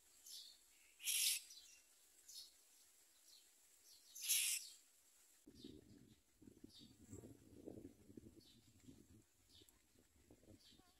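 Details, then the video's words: Common myna chicks with their mother, eating little and trying to bite her; two sharp harsh rasping bursts in the first half, then low rustling and handling noise with faint chirps. "Common myna Baby Birds eat less and want to bite their mother"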